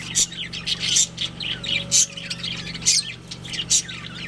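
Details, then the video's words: Budgerigars of a breeding pair chirp busily: bright, high squeaky notes roughly once a second with softer warbling chatter between them, over a persistent low droning hum. "Adorable Budgies Chirping Sounds"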